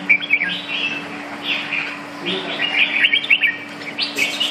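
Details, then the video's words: Red-whiskered bulbul at a bird club competition, 5 May 2012, delivering a lively song of clear, bubbly whistled phrases repeated in rapid bursts, with steady background hum and little other noise. "chao mao"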